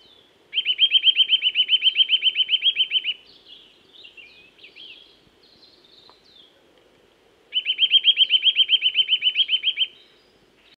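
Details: Eurasian nuthatch singing in woodland: two fast, even trills of piping notes, each lasting about two and a half seconds, separated by a pause filled with faint, scattered high chirps.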